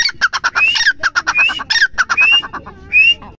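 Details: Grey francolin (teetar) delivering quick bursts of harsh chattering notes broken by clear rising whistles, with an irregular, excited rhythm and loud, ringing quality.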